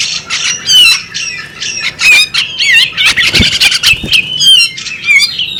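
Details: Female bearded magpie robin calling: harsh squawking notes mixed with short whistled slurs and chattering, bursts every half second or so, over a steady high ringing tone.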